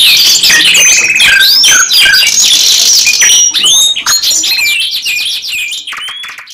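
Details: Canaries in 'gacor nembak panjang' style deliver fast rattled trills and sweeping whistles, the dense song thinning toward the end into scattered high chirps and short slurred notes.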